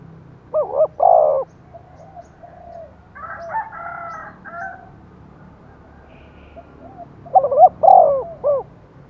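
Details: Spotted dove decoy bird calling hard to provoke wild doves into cooing back; low, mellow coo phrases of several notes open and close the recording, with a higher, harsher bird call in between and a steady low background hum.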